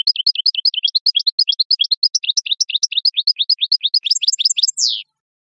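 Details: European goldfinch singing natural song on a lure-call recording: a fast, liquid twitter of high, tinkling notes, about three a second, ending in a buzzy falling note; nothing else heard.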